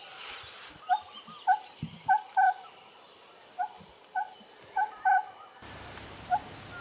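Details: Oriental scops owl (Otus sunia), one of a small group of four roosting in bamboo at Phutthamonthon Park near Bangkok, Thailand, by day, giving short, hollow clucking notes in loose groups of two or three, over faint hiss.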